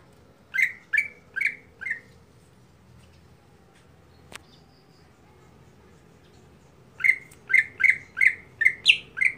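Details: Greater green leafbird, a kept bird giving its everyday monotonous song: clear downward-slurred whistled notes repeated rapidly in a run of four, a pause of several seconds, then a faster run of seven similar notes.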